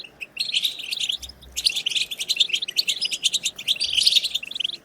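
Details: European goldfinch song in the style called batbata khalawiya, played to stimulate goldfinches to sing: dense, fast tinkling twitter of bright high notes, with short pauses and bursts growing louder toward the end.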